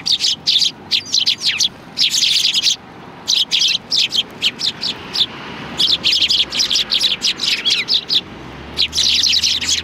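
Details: A flock of sparrows comes to be fed at a Tenmangu shrine on 16 January 2020. Bursts of sharp, high chirps run in rapid overlapping clusters, with short quiet gaps between volleys.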